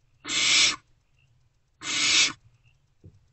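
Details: Before dawn on 3 March 2024, unfed Great Horned Owl owlets in a nest box react to an adult's arrival: two long, harsh, airy screeches about 1.5 seconds apart, then a brief tap.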